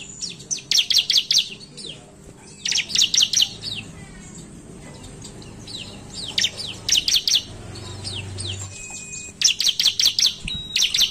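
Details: Bar-winged Prinia, called ciblek, singing 'narung' style to lure others: four separate bursts of fast, high, staccato chirps, each about a second long, with quieter gaps, a thin whistle and a low hum between.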